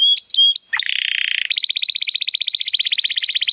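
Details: Timbrado Español canary, a male from rated parents born in 2020, singing a training song: short whistled notes, a dense rattling burst, then a long rapid trill of evenly repeated pulsing notes.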